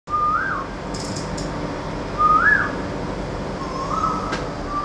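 An Asian koel gives clear whistled notes that swoop upward and fall away, repeated about every two seconds, over a low background hum.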